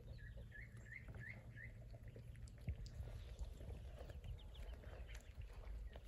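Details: Saxony and Muscovy ducks and ducklings; a short run of four upward-sweeping peeps, then scattered fainter calls over steady low rumble.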